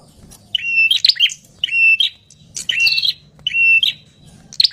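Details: Noisy 'tenes ribut' calls of a wild ashy tailorbird. Bright, steady high whistles break into harsh, buzzy chattering bursts, repeated roughly every second. A low background drone is present.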